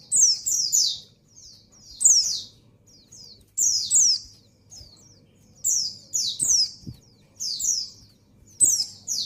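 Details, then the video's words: High, slurred descending notes in quick pairs and triplets from a breeding female white-eye calling for a male, with softer twittering between phrases and steady low hum. "Suara Burung Pleci Betina Birahi Memanggil Jantan"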